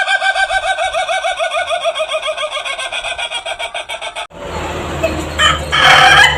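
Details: Rare Indonesian laughing chicken with a crow likened to laughter: a steady series of quick pulsed cackling notes for about four seconds, then abrupt broadband noise and clatter.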